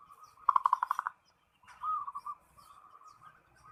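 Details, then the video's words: Zebra dove (perkutut) calling to a rival: a quick burst of about eight low, rolling staccato coos. After a short pause comes a softer, slurred series of coos, over faint background hiss. "SUARA PERKUTUT MEMANGGIL LAWAN"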